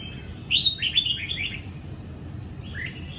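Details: On a morning of 20 April 2022, a young caged Sông Kon red-whiskered bulbul, freshly moulted from its forest plumage and sunning, gives a quick, bright phrase of tumbling whistled notes, then a shorter answering fragment, over a steady low rumble.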